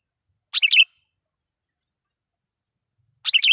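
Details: Sooty-headed bulbul lure song, a loud phrase used to provoke wild bulbuls: two short bubbly, fluttering phrases of quick notes, about three seconds apart, otherwise quiet.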